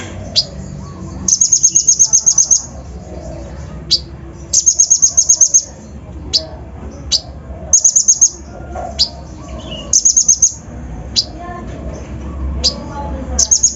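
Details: Lure song of a kolibri ninja (Van Hasselt's sunbird), full of coarse fill-ins and meant to excite untrained birds. Short rattling trills of very high, sharp notes alternate with lone thin chips and brief pauses, repeating irregularly.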